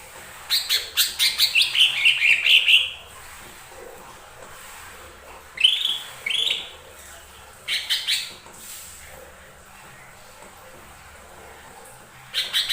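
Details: Lesser green leafbird song used as a lure to provoke other birds into singing: a rapid run of bright chirps and buzzy notes for about two seconds, then short sharp bursts separated by quiet pauses.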